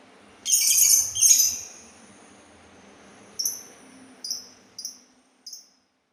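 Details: Sultan tit, its distinctive voice praised alongside its agility and elegance: two broad, noisy high bursts open, then a pause and a run of short, sharp, high whistled notes repeated four times at uneven intervals over a quiet background.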